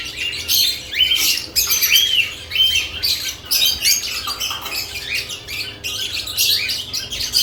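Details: Lovebirds around newly added nest boxes, chirping busily: dense overlapping high chirps and squeaky arched notes in rapid bursts throughout, several birds calling at once.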